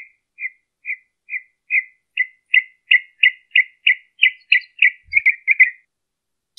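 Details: Northern mockingbird singing live in Colton, California, recorded 23 March 2015: a steady series of short, clipped chirps repeated about every 0.4 seconds, growing louder and faster, ending in a quick run of notes.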